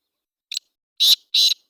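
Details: Black francolin in Sindh, Pakistan: a short scratchy note followed by two longer, harsh, grating bursts about a third of a second apart, with clean silence around them.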